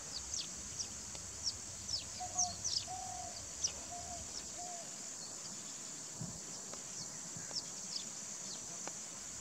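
Four soft, nasal honks in quick succession from a bar-headed goose, over a steady high insect drone and scattered sharp chirps of small birds.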